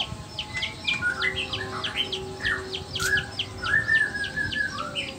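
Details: Black-tailed Nias white-rumped shama male, whose song is used to make other males sing and show their repertoire. Varied, rapid phrases of short swept whistles and chirps over steady background hiss.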